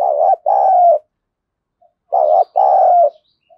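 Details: Decoy spotted dove in a rough 'thổ sấm' voice, sounding angry, as if scolding wild doves. Two loud phrases roughly two seconds apart, each a clipped gurgling note followed by a longer flat note.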